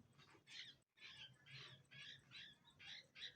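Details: Orphaned Indian pied myna fledglings being hand-reared after their mother died. Soft, harsh, raspy squawks repeat about twice a second in short broadband bursts, eight in all, with faint room noise in the background.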